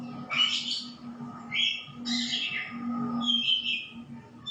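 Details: White-rumped shama delivering several short bursts of varied, slurred whistles and harsher chattering notes, each burst about half a second, spaced by brief pauses over a low constant hum.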